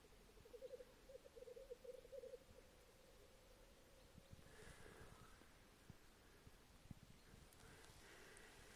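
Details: A Black grouse on its lek bubbles with a low, dove-like rookooing that runs steadily, then gives harsh, hissing, sneeze-like 'chu-whee' calls twice. Faint rustling is heard in the background.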